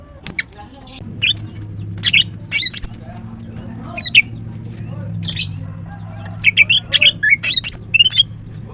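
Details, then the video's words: Female greater green leafbird in morning song, giving scattered sharp chirps and quick slurred whistles with pauses between, over a steady low hum. "The female Green Cucak bird is chirping well, GREATER GREEN LEARBIRD"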